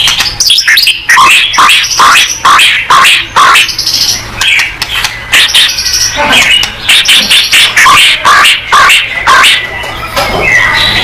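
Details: White-rumped shama song intended to get other shamas singing at once: rapid, repeated sharp notes and short whistled chips, about two per second, in uneven clusters, with a thin whistle near the end.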